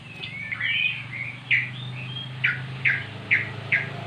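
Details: Caged magpie-robin, once mute, answering recorded song of its kind: a few whistled slides, then sharp falling chirps repeated roughly every half second, over steady low hum and room noise.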